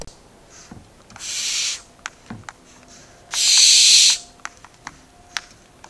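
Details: Barn owl nestlings, four together in the nest, recorded 2 September 2019, give two long rasping hisses about two seconds apart. Scattered sharp clicks and knocks are heard in the quiet gaps.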